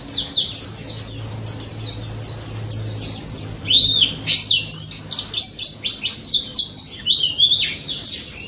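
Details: White-eye (pleci daput) in energetic wild-style song, used to draw answers from silent white-eyes: high sweeping chirps and twitters delivered in quick rhythmic clusters, roughly ninety phrases a minute.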